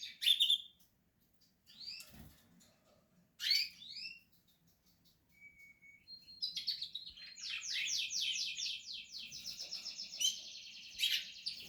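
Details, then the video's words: Portuguese harlequin canary during nest building: scattered short chirps and upswept notes separated by pauses, then a fast rolling trill that runs on for several seconds. "Canary,nesting Kanarien nestaufbau.Canarios portuguese harlequin Kanarya harlekin"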